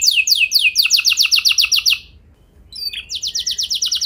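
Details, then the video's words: Canary song used as a lure recording to make other canaries sing long rolls: high, rapid trills of quickly repeated downward-swept notes, a short pause, then another fast, even trill. "Pancingan Burung Kenari Ampuh Bikin Kenari Lain Auto Gacor Ngeroll Panjang | Canary Singing"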